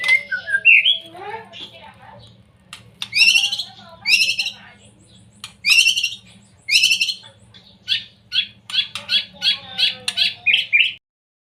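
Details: Young white-rumped shama singing to provoke other birds: harsh buzzy bursts and scratchy high phrases separated by pauses, ending in a quick run of sharp chips, over a steady low hum.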